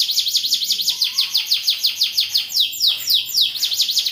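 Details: Canary song in a richly varied style (cengkok mewah): a fast, steady run of high, bright repeated trill notes, about two per second, continuing without a break, with a brief lower whistled note partway through.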